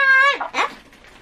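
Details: Pet Ducorps's cockatoo indoors, which has lately been answering "hai" and then saying "konnichiwa" (hello) over and over. A loud, steady, strongly harmonic tone lasts about a third of a second, then drops into a rougher, noisier burst before quieting.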